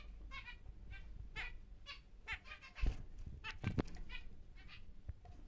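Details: Large male normal grey zebra finch kept for breeding, giving a run of short nasal harmonic notes repeated every half second or so, over low room rumble and scattered clicks.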